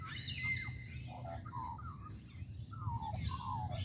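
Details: Australian magpie perched in a tree at Kings Park in Perth, Western Australia: a run of fluty, wavering notes that dip and rise, mixed with scratchy higher notes, over a constant low background hum.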